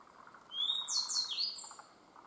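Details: Grey bunting singing at Myōkō Kōgen highlands, where it was common: a single phrase opening with a thin high whistle, then rapid buzzy slurred notes sweeping downward, lasting about a second over a steady low background hum.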